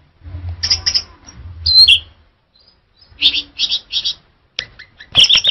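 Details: Short bursts of song from a male orange-headed thrush: clipped, chattering high notes in quick clusters separated by pauses, including one sharp whistled downslur, over a faint low hum.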